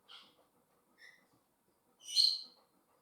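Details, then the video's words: Two pet African grey parrots at home give three brief whistled notes: a high short note, a softer mid note, then a louder, harsher high whistle, over a faint low background hum. "MY AFRICAN GREY PARROTS MAKES NOISE AND WHISTLES"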